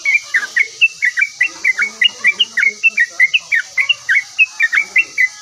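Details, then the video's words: A highly vocal yellow-vented bulbul replying at once with a steady stream of short, bubbly, slurred notes, roughly one to two a second in even succession, against a constant high hiss. "OCEHAN BURUNG TRUCUKAN GACOR LANGSUNG NYAUT"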